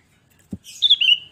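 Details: Sooty-headed bulbul lure song: a dull knock is followed by a bright, fluty phrase of slurred whistles, ending in a sharp new note. The surroundings are quiet.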